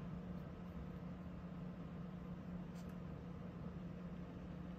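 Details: A steady low electrical hum and room noise continue throughout, with no bird or other animal sound.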